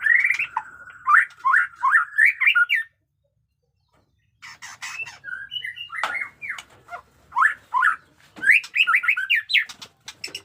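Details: White-rumped shama, jenggot dewa type, caged and singing fighter-style batuk koral: quick choppy whistled notes in a burst, a silent pause, scratchy clicks, then more rapid slurred whistle phrases.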